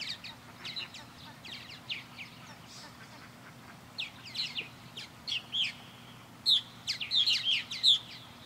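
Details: Purple martins circling a backyard birdhouse under a blue sky, giving scattered chirps and gurgling notes, sparse at first then denser toward the end, with a low steady hum underneath.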